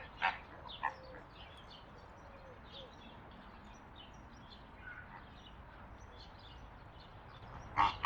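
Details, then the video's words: Greater flamingo giving harsh, goose-like honks, two in quick succession and one loud one near the end, over a soft murmur of other flock birds. "What sound does a flamingo make? Flamingo sound effect! Greater flamingo call!"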